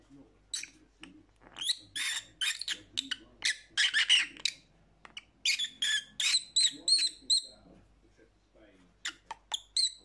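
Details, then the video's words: Lovebird chatter aimed at lonely parrots: long, fast volleys of sharp, high chirps and squeaks, some with a ringing whistled tone, pausing briefly before a few final notes. "Lovebird Sounds"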